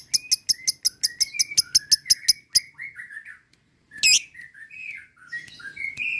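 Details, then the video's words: Lovebird giving a long ngekek chatter: a rapid run of sharp, high chirps, about three per second for two and a half seconds, then after a brief pause a string of twittering notes that rise and fall. "Mancing Lovebird agar Emosi Ngekek Panjang"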